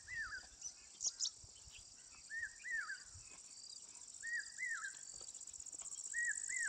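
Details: Asian koel calling in pairs of arched, whistled notes that swoop up and down, each pair repeated every second or two, over a constant high insect drone.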